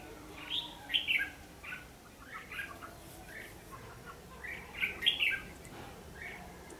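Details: Red-whiskered bulbul singing a fighting song while being trapped with a lure bird, recorded 14 December 2015: two clusters of quick, chirpy, fluty phrases about four seconds apart, with softer scattered notes between them.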